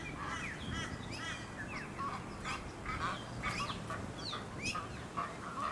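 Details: A flock of Australian white ibises on the Sunshine Coast, Queensland, in August 2023 gives harsh, honking, grunting calls, many overlapping at a quick, uneven pace over a low background rumble.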